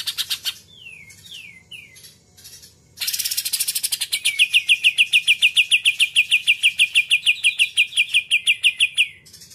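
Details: Greater green leafbird's 'muntah isan kapas tembak putar' song: three slurred downward whistles, then a loud harsh chatter swelling into a long, rapid, even run of sharp buzzy notes lasting about six seconds.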